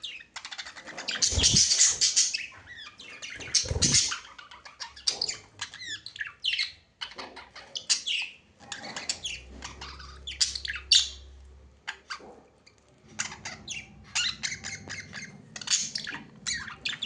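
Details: Pet budgerigars on 19 January 2025 chatter with rapid, scratchy chirps and warbles, bursts tumbling over one another with brief pauses.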